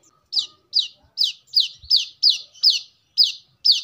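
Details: Brown-throated sunbird (kolibri kelapa) used as a lure or song model: a steady row of short, sharp downslurred high notes, about two or three per second, in otherwise quiet surroundings.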